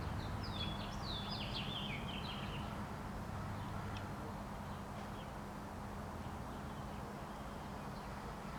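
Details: American Robins singing on 28 April 2019: a burst of clear, warbled phrases that slide up and down, bunched in the first few seconds and then fading, over a steady low rumble and hum.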